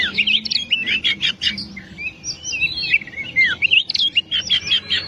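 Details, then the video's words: Kacer, the oriental magpie-robin, singing a 'gacor dor nembak' style masteran for birds reluctant to sing: dense run of sharp chips, looping whistles and falling slurs, continuous and energetic, faint low hum beneath. "Masteran burung Kacer/Klacer gacor dor nembak durasi panjang cocok buat pancingan burung malas bunyi"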